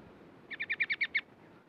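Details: A caged Yellow-vented Bulbul, newly acquired two days earlier and used as a decoy, gives a quick burst of seven bright, bubbly notes, about ten per second, over a faint low background hum.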